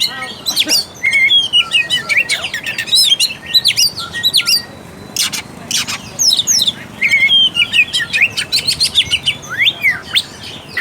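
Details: Lively Oriental magpie-robin song played to provoke a quiet, timid magpie-robin into singing and fighting spirit: long runs of quick, high, varied whistled and chirping notes, broken by a short pause midway, then resuming just as busily.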